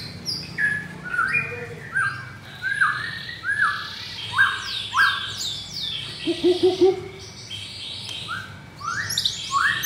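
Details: In Jakarta, Indonesia, a caged adult brown blorok white-rumped shama matched against a rival sings spaced, swooping whistled phrases with brief high chirps and a low chattering cluster between them, pausing briefly between bursts.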